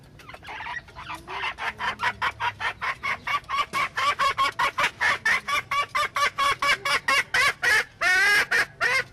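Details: Junglefowl hen giving a long series of sharp, harmonically rich clucks, about two per second, building in loudness, ending in a drawn-out wavering squawk.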